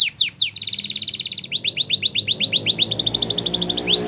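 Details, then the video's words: Spanish Timbrado canary sings for training: falling slurs, a steady buzzing trill, then a long run of repeated sharp notes, with faint low humming underneath. "Canary's Most Powerful Song For Training"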